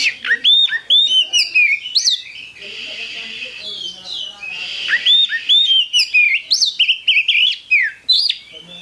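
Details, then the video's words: Lure song of a continuously singing Oriental magpie-robin (kacer): rapid bursts of clear whistles, upslurred notes and sharp chirps in varied phrases, softer faint twittering during a brief lull, then loud phrases again. "Pancingan Kacer Gacor"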